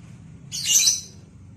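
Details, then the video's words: Lovebird in vocal training gives a single shrill, scratchy high chirp lasting about half a second, rising then fading, with faint low hum behind. "LOVEBIRD OLAH SUARA VOKAL"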